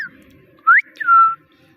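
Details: Parrot mimicking speech with two quick whistled notes: a short upward sweep, then a longer, steady, slightly falling tone, in a quiet indoor setting with faint low hum.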